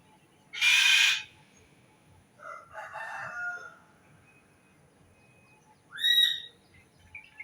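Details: A bird gives a sudden loud, harsh, hissing burst, then a softer chattering, warbled phrase, and later a sharp, upward-sweeping whistle, with pauses of quiet between the sounds.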